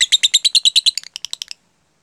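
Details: Rapid 'jeda rapat' chirping by a lovebird, played to stimulate other lovebirds to copy it. About fourteen sharp, high notes come in quick succession, evenly spaced at first, then spreading out with small gaps before stopping.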